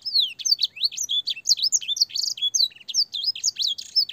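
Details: Long, clear master song meant to teach young canaries, mixing in blackthroat and sanger phrases. Rapid run of high rising and falling whistles with a few buzzy trills, delivered without pause.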